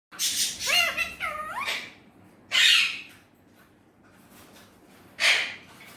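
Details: Pet Indian ringneck parrot talking in Urdu/Hindi: harsh raspy syllables, then two pairs of bending, harmonic whistled notes, followed by two separate loud scratchy bursts with quiet gaps between.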